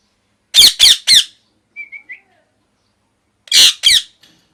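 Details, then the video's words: Natural parrot squawking loudly: three rasping bursts, soft short whistled notes, then two more harsh squawks. "loud parrot chirping sound"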